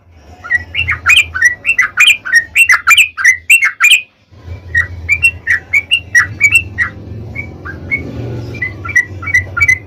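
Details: Yellow-vented bulbul song used as a lure for other bulbuls: lively bubbling phrases of rising and falling notes, pausing briefly, then continuing in a looser, more spaced series with faint background hum.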